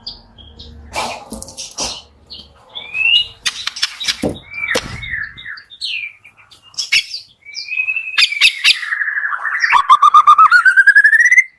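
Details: Morning white-rumped shama song meant to prompt lazy shamas into singing: varied whistles, sharp clicks and sweeping slurs, ending in a long rapid trill that rises steadily in pitch.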